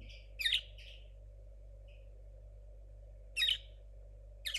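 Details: Juvenile linnet hybrid of 2022 still practising an unclear song: short bursts of sharp, high chirping notes, some paired, spaced by seconds of silence, with a faint steady hum beneath.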